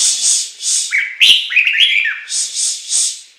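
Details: Chinese hwamei in song: a fluid whistled phrase of several slurred, rising and falling notes, framed before and after by repeated harsh hissy bursts.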